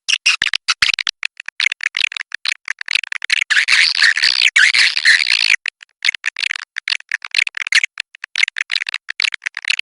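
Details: Swiftlets producing rapid, irregular ticking chirps that thicken into a buzzy chattering swell midway, then return to scattered clicks.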